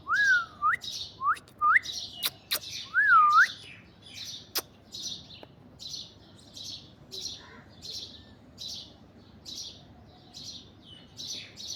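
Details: Alexandrine parakeet perched on an orange tree gives three looping, slurred whistles early on, then a long run of short, scratchy chirps repeated roughly once a second, with a couple of sharp clicking snaps.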